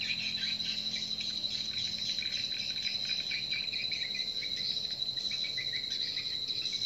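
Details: Swiftlet-house lure sound of edible-nest swiftlets, used to draw birds to a nest house: a continuous mass of quick, sharp chirps and twitters, over a constant high-pitched tone.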